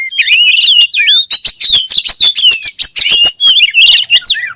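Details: Oriental magpie-robin (kacer) singing a rich, rapid phrase of clear whistled rising and falling notes woven with scratchy, buzzy chips, almost without pause.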